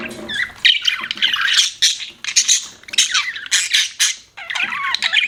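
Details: Budgie chirping in bursts of scratchy warbles and squawks, with short gaps between phrases and a few clear rising and falling whistled notes near the end.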